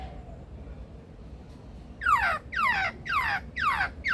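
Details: Male Superb Lyrebird at Adelaide Zoo's rainforest aviary, mimicking: after a quiet start, five loud harsh descending sweeps, about two per second, each a noisy down-slurred burst.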